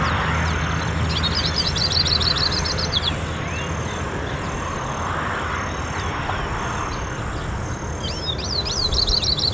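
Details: Hooded siskin (Carduelis magellanica) giving high, rapid twittering bursts near the start and again at the end, over a steady low rumble like distant traffic; recorded 6 January 2013.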